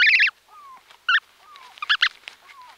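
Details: Brant goose goslings calling from inside their eggs, recorded close up: short loud stacked squeaky peeps in bursts at the start, near 1.1 s and around 2 s, with faint thin descending whistles and soft movement sounds between.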